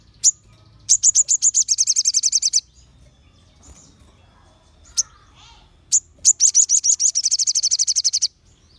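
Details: Crimson sunbird singing to stir rival sunbirds into song: two bursts of fast, metallic high trilled notes, each around two seconds, separated by single sharp chips and a quiet gap.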